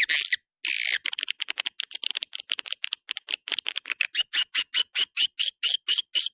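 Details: Swiftlet calling sound in the 'Dua Bidadari' style, used to attract swiftlets: rapid dry clicks and buzzy chirps in quick series, short bursts at first, then an even run of rasping notes roughly every quarter second.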